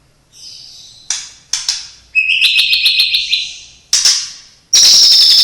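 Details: Shama, locally murai batu, kept by the recorder, singing isian imitations of cililin, sparrow, lovebird and canary: scattered sharp chips, a buzzy rapid stuttering series, then a piercing sustained high whistle at the end.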